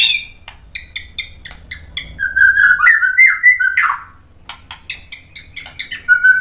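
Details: Agitated white-rumped shama song meant to provoke rival males: a run of short paired chirps, then a loud slurred whistled phrase, followed by more quick chirps.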